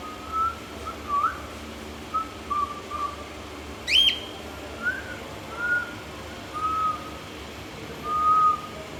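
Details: A pet cockatiel, playing, gives soft, level whistled notes in short bursts, broken once by a sharp, bright chirp.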